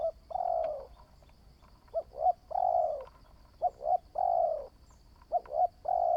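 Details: New spotted dove decoy bird taken out for training in decoy trapping, cooing: two short rising notes followed by a long drawn-out coo, a phrase repeated about every two seconds, with a faint steady hum behind.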